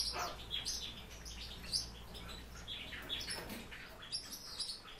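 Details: Captive warbling white-eye giving high twittering chirps and thin squeaks in irregular bursts, accompanied by fluttering rustles and a low background hum.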